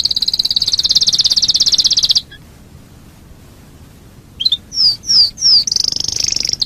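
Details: Domestic canary lure song for prompting other canaries: a long high rapid trill, two seconds of quiet, three loud descending whistles, then the high trill resumes.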